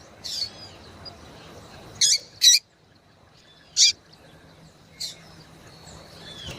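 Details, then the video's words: Female yellow-bellied seedeater calling to excite males: brief, sharp, high chips, one quick pair, then single notes spaced a second or more apart, with faint bird twitters behind. "fêmea de coleiro baiano chamando Muito Pra Esquentar coleiro baiano"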